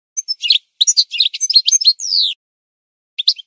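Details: Goldfinch song used for training birds to sing: fast jumbled twittering of high chirps and buzzy notes, ending in a long drawn descending whistle, then a short chirp after a pause; clean background.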